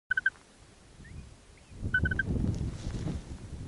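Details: At an Arctic nest, a male grey (black-bellied) plover startled by his newly hatched chick gives two quick bursts of three or four short, clipped mid-pitched notes about two seconds apart, over low wind rumble.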